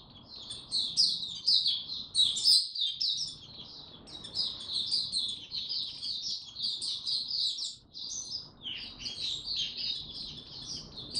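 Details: Oriental white-eye singing in the tiong aw style, recorded 25 January 2022 after sleeping late the night before; long, rapid run of high, thin twittering and warbled notes, nearly unbroken apart from one short pause.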